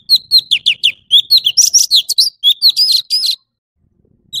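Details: Orange-bellied leafbird song: quick repeated high whistles and slurred chirps with some buzzy notes, about three seconds of continuous phrases, then near silence.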